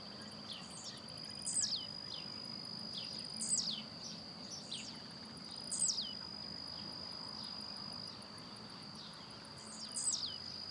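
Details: In the wild, a blue-black grassquit sings while hopping. It gives a short, sharp, buzzy note that drops steeply in pitch, repeated four times at roughly two-second intervals, against a continuous shrill insect hum.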